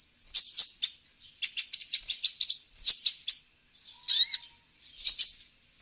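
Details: Calls of the olive-backed sunbird played to draw in wild birds. Clusters of high, thin chirps are followed by one sweeping whistled note and a final shrill burst.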